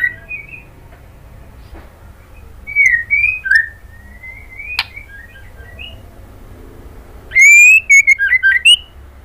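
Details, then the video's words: Calling female white-rumped shama addressing the male: scattered slurred whistles rising and dropping, a sharp click midway, then a loud burst of fast rasping notes mixed with whistles near the end. "SUARA MURAI BATU BETINA MEMANGGIL JANTAN"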